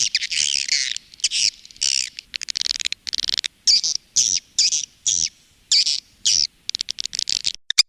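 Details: Swiftlets chattering in a call-and-roost lure recording used by swiftlet farmers in Indonesia: repeated high buzzy twitter phrases about half a second long, separated by rapid clicking ticks.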